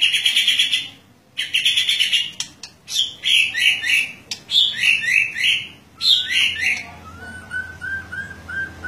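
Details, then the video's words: White-rumped shama singing loudly and freely while set out in the morning dew, apparently seeking a rival: bright, varied bursts of whistles and chatters, phrase after phrase, ending with softer, lower repeated notes. "suara murai ngeplong"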